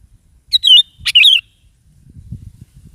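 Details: Morning song of a sooty-headed bulbul, played to get a kept bulbul to reply and sing: two quick rich, gurgling warbled phrases in quick succession, followed by faint low rumbling background noise.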